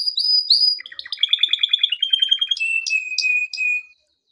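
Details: A male canary, singing for training, gives quick descending whistles, a rapid stuttering series of paired notes, then a sustained high whistle crossed by sharp repeated chips before falling silent.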